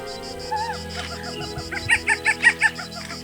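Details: Forest owlet (Athene blewitti), India, alarm call given when an intruder enters its territory: a quick run of five harsh, clipped notes, about five a second, over steady background music.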